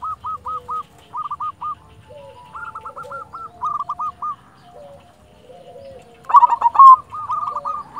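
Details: Champion local silver zebra dove singing as a master bird to rouse lazy doves: groups of three to five quick hooked coos with pauses, softer lower notes beneath, then a sudden loud cooing burst near the end.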